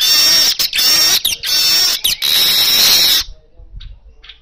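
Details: Loud, energetic natural song of an Asian golden weaver, offered to stimulate kacer birds; three seconds of steady high hissing, buzzy trill with brief breaks, then it stops abruptly.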